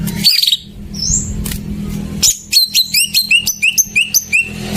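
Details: Greater green leafbird lure song for birds that have stopped singing; after a noisy start, a rhythmic series of sharp, downward-slurred whistled notes repeats about twice per second, with a low background hum.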